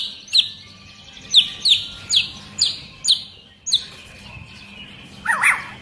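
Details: Agitated long-tailed white-rumped shama, described as singing in dense, high 'tembakan' (shots): sharp, high chips spaced about half a second apart, then a short lower warbled burst at the end.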